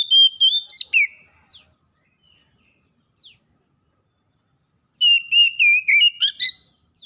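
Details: Oriental magpie-robins, wild and kept at home, reply to one another in gacor song. Opening whistled phrases and chips give way to a few isolated downward sweeps, then a second long run of rich, warbling whistles.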